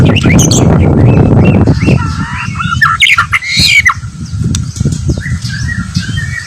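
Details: White-rumped shama in fighting-style song, opening under a loud rough rumbling noise, then a rapid run of varied whistled and slurred notes, some rising and some falling, continuing against steady background noise.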